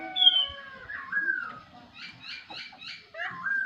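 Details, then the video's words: A laughingthrush sings in the morning: a long pure whistle, slurred downward notes, then four quick repeated buzzy chirps and a final falling whistle. "khướu mun hót buổi sáng"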